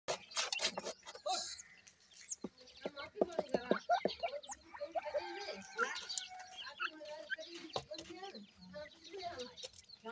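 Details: Partridge family of male, female and 25-day-old chicks while feeding gives a busy mix of short clucks and chirps, some harsh and some thin and high, amid scattered clicks and rustling.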